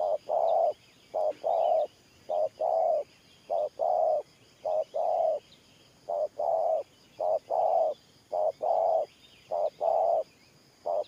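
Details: Spotted dove performing a long run of Thổ Pha style coos: about nine mellow paired notes, short then long, repeated rhythmically at a steady pace, faint chirps of other birds behind.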